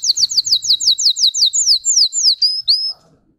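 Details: Russian singing canary gives a clean series of falling high whistles, about five per second, ending with two rising notes before silence.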